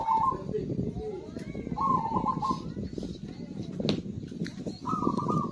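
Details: Zebra dove song intended to spur quiet birds into singing: three short bubbly coo phrases spaced about two seconds apart, set against a dense, murmuring low background.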